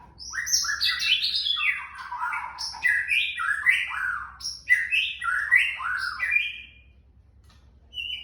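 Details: Young white-rumped shama giving a soft "trakk" song: a rapid run of varied whistled and chirping notes, many sliding downward, delivered almost continuously for about seven seconds before a brief high note at the end.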